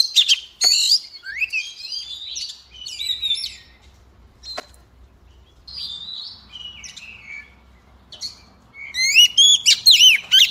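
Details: Oriental magpie-robin hen singing to provoke males to sing, delivering scattered phrases of bright whistles, slurred notes and harsh chirps with pauses between, ending in a loud rapid burst of high twittering; faint low hum beneath.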